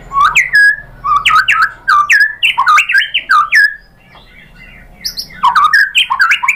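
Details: Song of a white-rumped shama, used to goad other birds into singing: loud repeated phrases of sharp downslurred whistles and clicks, each about half a second apart, a short lull, then a fresh burst.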